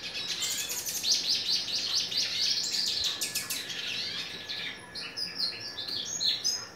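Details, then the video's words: Hooded siskin singing a lot: a long, rapid, high twittering song of buzzy trills and sharp chirps with little pause, ending in scattered higher notes. "Pintassilgo da terra catando muito"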